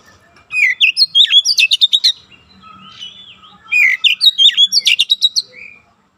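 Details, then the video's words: Oriental magpie-robin song used as training for young birds to sing fast and tight: two bursts of rapid whistled, slurred notes and sharp chattering trills, separated by a brief pause with a low hum. "TERAPI KACER BAHAN CEPAT NEMBAK RAPAT"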